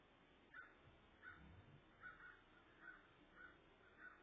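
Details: Ravens calling in the immediate area of an eagle nest with eggs left uncovered, midday on 23 February 2014; six or seven clipped caws spaced roughly every two-thirds of a second, fairly quiet, with faint low rumble.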